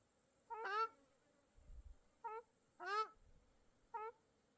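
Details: Birds by a small lake in Mongolia: nasal, harmonic mewing calls, a short call alternating with longer, louder, downward-bending ones, about two calls a second in bursts, with brief low rumbles between.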